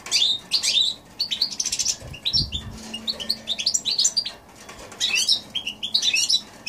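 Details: Goldfinch and canary hybrid singing, recorded in January 2016: quick bursts of high, bright twittering and warbled notes in short phrases separated by brief pauses, with a few soft low thumps midway.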